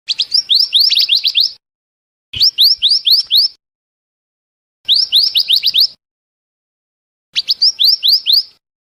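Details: Lure song of scarlet minivet played to trap birds: four bursts of five to seven bright, rising whistled notes, repeated roughly every two and a half seconds; no other noises.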